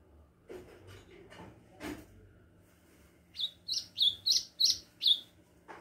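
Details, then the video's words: Ultramarine grosbeak (azulão), described as just beginning to sing, gives a brief song of six quick, clear whistled notes, each slurring up and down, about three per second, after a few soft knocks and rustles indoors. "golinha-começando a cantar- AZULÃO!!!"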